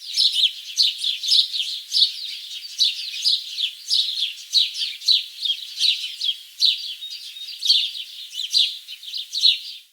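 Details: Continuous high twittering with sharp, bright chirps repeated roughly twice a second throughout, steady and energetic with no other sounds present.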